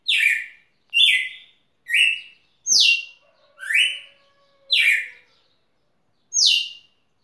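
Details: Singing red-cowled cardinal at Rio Grosso: seven loud, clean whistled notes, each dropping in pitch, spaced about a second apart with a longer pause before the last, and a faint steady hum behind them.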